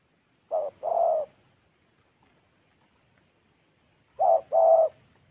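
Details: Spotted dove decoy bird from Gia Lai cooing: two phrases about four seconds apart, each a short low coo followed by a longer, fuller, hoarse coo, with quiet background.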